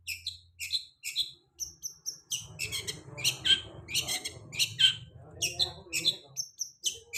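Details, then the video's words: Long-tailed shrike song intended to coax post-moult shrikes into singing: quick harsh chirps and short squeaky whistles in uneven clusters over a steady low hum and soft muddled background chatter. "Pancingan cendet habis mabung pasti bunyi"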